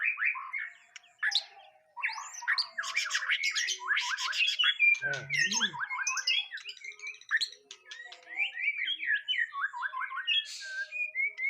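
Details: White-rumped shama under a nerve test sings a long, varied stream of sharp chips, rapid trills and slurred whistles, with harsh squawking bursts mixed in.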